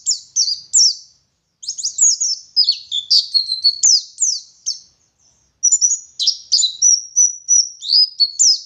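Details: Oriental white-eye, a local Garut dakun bird of West Java, giving gacor ngalas song with ngeriwik twittering: dense high chirps and slurred whistles in two long bursts separated by a one-second pause, with faint clicks.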